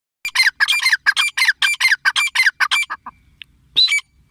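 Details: A female Grey Francolin (teetar) gives a fast run of about a dozen harsh, squawking notes, roughly five a second, then a short pause and one last squawk.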